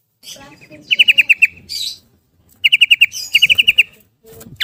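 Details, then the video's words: Yellow-vented bulbul in rapid 'ropel' song for luring quiet bulbuls: three fast runs of five to seven sharp notes, with softer chatter and rustling between. "Kicau Garuda Tarung Trucukan Gacor bikin Gelisah Geram Semua Trucuk jadi Ropel Gacor"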